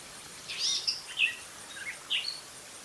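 Gray catbird giving a quick jumble of squeaky, scratchy phrases, about five notes in under three seconds, varying in pitch; faint background hiss.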